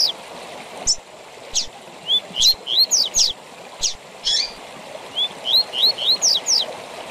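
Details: Tutoring song of a double-collared seedeater in the tui tui zel zel style: scattered sharp high downstrokes, then rising whistled notes in short runs, ending with a fast string of upslurred whistles, steady rushing noise underneath.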